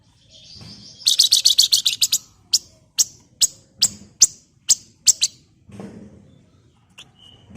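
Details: Javan fulvetta, or flamboyan, sounding as a lure for flock birds: a fast rattling chatter of sharp dry clicks that slows into spaced single ticks, with a soft low murmur underneath.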